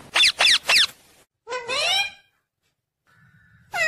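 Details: Pet talking parrot saying words such as mummy and papa; three quick clipped syllables, then a longer rising, voice-like phrase, with a faint tone and quiet room sounds after it.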